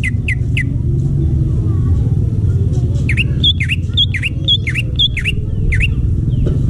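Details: In wild forest, a greater green leafbird gives three short whistled notes, pauses, then sings a rhythmic series of high clicks and dipping V-shaped whistles about every half second, with low mechanical rumble throughout.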